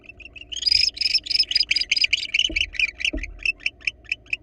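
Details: Wild male barn owl coaxing a female into his nest box, making a rapid, rising run of high, buzzy, twittering notes that loosen into spaced chirps, with two soft knocks and a low background hum.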